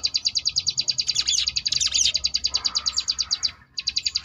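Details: Sunda bush warbler, ngebrem variation song for contest-bird training: quick high pulsed buzzing notes, thickened midway by overlapping chatter, then a short pause and the pulses resume.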